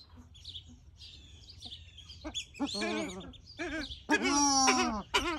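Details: Paradise shelducks (Tadorna variegata) give a few harsh, nasal honks, each bending up then down, the last drawn out for about a second, over faint high twitters and a low rumble.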